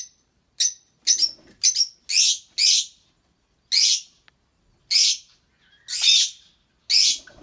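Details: Chirping from an albino red-eyed pair of lovebirds: a few thin high chirps followed by harsh, buzzy squawk-like notes, spaced irregularly about a second apart.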